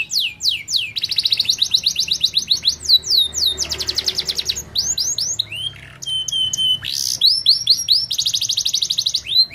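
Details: Canary song alternating dense buzzy rolls and fast descending whistles, with metallic clicking notes and a sharp burst in the middle before a final rolled trill.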